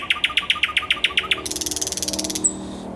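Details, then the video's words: Thrush nightingale singing, 10 May 2021: a rapid rhythmic series of about ten hard clacking notes, then a fast, high buzzy rattle of many short pulses ending in a thin whistle. "Słowik Szary"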